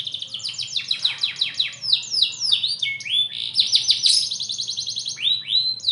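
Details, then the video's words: Bottle-green canary in full song, pouring out rapid repeated downslurred notes in quick rolling trills, with a brief pause and then more sweeping chips; steady low background hum. "Kenari Ijo Botol materi edan"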